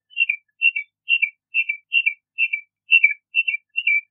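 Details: A Bahama mockingbird repeats one clear whistled phrase, a high note slurring down to a lower one, about twice a second in an even series, with nothing else audible.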